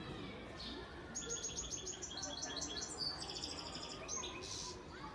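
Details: European goldfinch, a breeding father bird from Antalya, Turkey, recorded in 2018, delivering a rapid string of high, tinkling, slightly buzzy notes over a soft background hiss.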